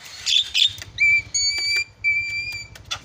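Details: Javan myna varied song, used to provoke and agitate other mynas: harsh scratchy notes, then clear sustained level whistles with bright overtones in three long tones, ending in a buzzy burst, over a faint low hum.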